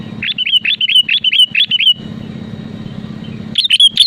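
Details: Sooty-headed bulbul in full song, meant to push rival birds into singing: a quick run of about eight short, liquid whistled notes, a pause over steady low hum, then more bright notes.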